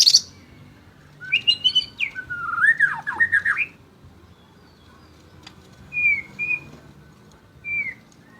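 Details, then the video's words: White-rumped shama song in full, lively competition style: a burst of bright rising whistles, then a slurred run of looping, warbled notes, followed by a pause and short clear whistles rising and falling. "Murai Batu Gacor Juara: Kicauan Penuh Gaya dan Energi"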